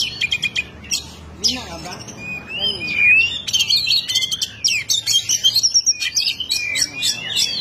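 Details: Oriental magpie-robin singing in a loud, energetic 'ngeplong' style meant to provoke a rival: rapid bursts of high chirps and whistled, sliding notes, with a brief quieter stretch of lower warbled sounds near the start.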